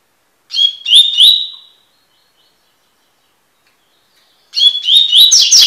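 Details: Double-collared seedeater singing the tui-tui style song used for tutoring young birds: two fast bursts of sharp, rising whistled notes, each about a second long, separated by three seconds of silence.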